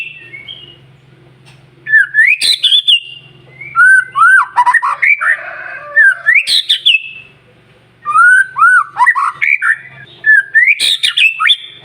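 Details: Morning lure song of a white-rumped shama, meant to make other birds sing back; three long bursts of varied, sweeping whistles punctuated by sharp clicks, with a soft hum between phrases.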